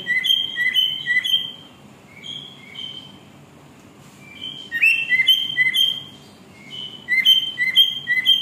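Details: Cockatiel singing: bursts of clear, slurred whistled notes that hop between two pitch levels, with short rising and falling glides. Four phrases are separated by quiet gaps, over a faint low hum.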